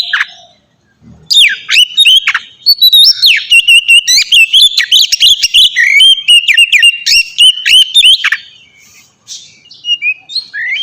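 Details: Captive-training ngeplong song of a white-rumped shama: after a short quiet start, a long fluid stream of whistled notes with repeated rapid ticks above, steady sweeping phrases, ending in a faint fade.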